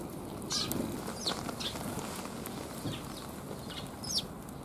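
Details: Sparrows, several of them, in a back alley on 28 January 2022, giving bright, brief downslurred chirps every half second or so, with one louder chirp near the end, over a continuous low background rumble.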